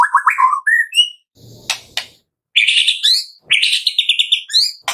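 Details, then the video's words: White-rumped shama morning song, played to prompt captive birds to sing: a rapid run of warbled notes climbing in steps, then a gap with a low buzz and sharp clicks, followed by loud rich rattling trills and bright whistled phrases. "Pancingan Murai Pagi WHITE-RUMPET SHAMA 100% AMPUH buat Pancingan murai batu pastol agar bunyi"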